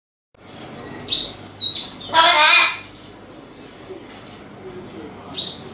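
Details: Indoor Amazon parrot calling out to a white cockatoo on the floor above: several high, clipped whistles, then a loud, harsh, broadband squawk lasting about half a second, followed by more thin whistles in a quiet room.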